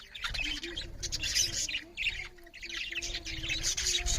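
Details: Budgerigars chirping loudly as they eat; a flock's busy, raspy high chatter in two long bursts, with a faint steady low tone and low thumping in the background.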